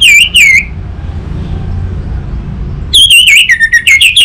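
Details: Orange-headed thrush lure song used for training a bird to sing back: a short wavering whistle, a pause of over two seconds, then a fast string of warbled and trilled whistles.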